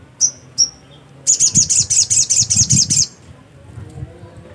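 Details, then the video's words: Black-capped white-eye giving two sharp high chirps, then a quick, evenly pulsed series of about nine bright, high twittering notes, with faint low background noise. "burung sogok ontong GACOR..!!!"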